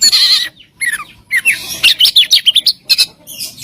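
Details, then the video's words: Oriental magpie-robin masteran song packed with fills and shots: a buzzy opening phrase, descending whistled slurs, then a quick run of bright chirped notes. "Masteran Mewah Burung Kacer Full Isian Dan Tembakan"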